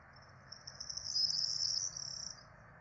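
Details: Peregrine falcon quadruplet chicks begging while being fed at a nest in Rome on 12 April 2024; a thin, high, hissing wheeze swells to a peak mid-clip, then fades, over low steady background rumble.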